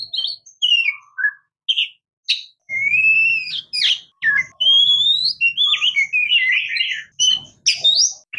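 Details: Oriental magpie-robin, locally called murai kampung or kacer, singing a lively varied phrase of clear whistles, sharp upslurred and downslurred notes and short chattering bursts, delivered in quick bursts with brief pauses, over a faint low hum.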